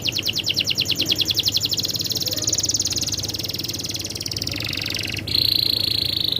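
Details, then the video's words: Canary rolling song: a fast high rattling trill that fades into a softer buzzing roll, then a sharp switch to a bright sustained whistle; faint low background hum. "suara burung kenari ngerolll super gacor"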